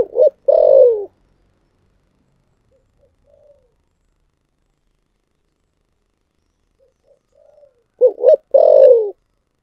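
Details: Spotted dove with a thunder-voiced 'thổ sấm' coo. Two rough phrases, each a short note and then a long falling burry coo, come about seven seconds apart. Soft murmurs fill the gap between them.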